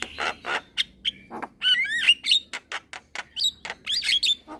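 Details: Young Javan myna, kept as a cage bird, singing while nodding: a varied string of harsh rasps, chattering clicks and bright looping whistles, delivered in a rapid, uneven rhythm.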